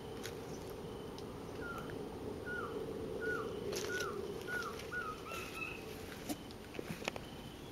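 A Masked trogon gives a series of about seven short, down-slurred notes, roughly one every half second, over a steady rushing background and a thin high insect whine.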